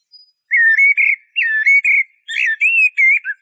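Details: Eurasian blackbird delivering three rich, flute-like warbled phrases in about three seconds, each mixing mellow looping whistles with faint squeaky high overtones, with clean silence between.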